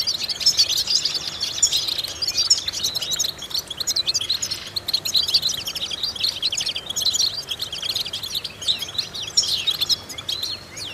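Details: European goldfinch singing for vocal training of goldfinches: a long, unbroken stream of high twittering notes, rapid chirps and liquid trills, steady in intensity, with a soft hiss underneath.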